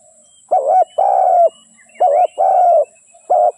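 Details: Decoy spotted dove used for trapping repeats its call: two short coos and a prolonged flat coo, two phrases then the start of a third. Soft high chirps are heard faintly behind it.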